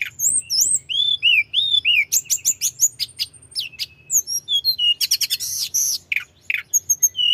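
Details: Rolling, lively song of a tledekan gunung flowerpecker, meant to raise rivals' aggression: a long varied stream of rising and falling whistles, sharp clicks and rapid chip bursts, about three notes a second, over a faint hum.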